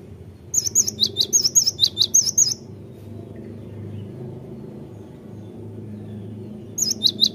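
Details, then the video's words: Great tit song for luring the bird to sing: a two-second burst of rapid, high, ringing two-part notes, about five seconds of near silence with low rumble, then the phrase starts again. "Pandai memikat gelatik batu jadi cepat gacor"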